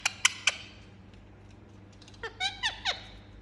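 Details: Pet Indian ringneck parakeet indoors: three sharp shrill squawks, then a pause and a run of four quick downward-sliding squeaky notes.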